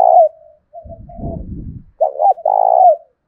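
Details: Decoy spotted dove calling to provoke wild doves to coo. One coo fades out, a low rustling bump follows, then a clear double note and a long rolling coo.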